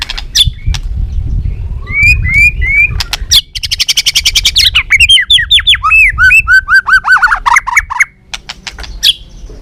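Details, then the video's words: Balak 6 white-rumped shama song for luring birds: a few rising whistles, then a very fast dry rattle, followed by a long series of quick downslurred notes repeated several times a second. "Suara Masteran Pikat Burung Murai Batu Balak 6 (Whiterumped Shama)"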